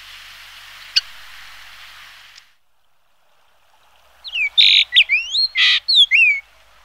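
Yellow-billed Grosbeak giving a quick burst of loud, clear whistled notes sliding up and down, after a stretch of soft hiss and a faint click.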